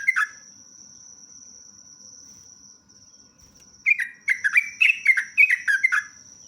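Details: A sooty-headed bulbul, called trucuk, sings 'ropelan panjang'. One chirp opens, then there is a long pause with only a thin steady high tone before a fast cascade of bright, downslurred chirps.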